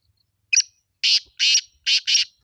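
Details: Black francolin calling: one short harsh note, then four loud grating, buzzy bursts in quick pairs, each about a quarter second long, against a silent background.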